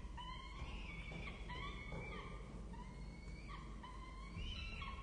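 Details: Peregrine falcon chicks at a nest in Orange, Australia, during a feeding: a series of short, rising-and-falling whining calls, repeated about once a second and overlapping, over a low background rumble.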